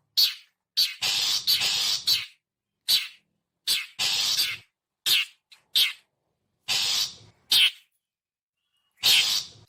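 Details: Long-tailed shrike calls for luring birds: around thirteen harsh, scratchy notes over ten seconds, with long buzzing rasps mixed with brief sharp chacks in irregular bursts and brief silences.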